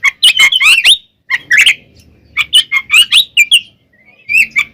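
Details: Kacer, the oriental magpie-robin, singing a provoking fight song: loud bursts of harsh chattering and twisting whistles, broken by short pauses, with varied squeaky notes throughout.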